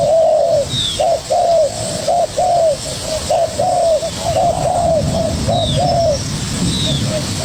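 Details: Young spotted dove fighting vigorously with a decoy bird, giving a dense run of low, hoarse coos, short notes alternating with longer drawn-out ones at roughly one per second, with faint high chirps from other birds behind.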